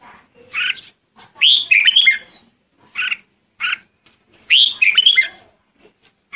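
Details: A red-whiskered bulbul gathering the flock, alternating short single chirps with longer rich, rolling warbles, each lasting under a second, separated by clear pauses.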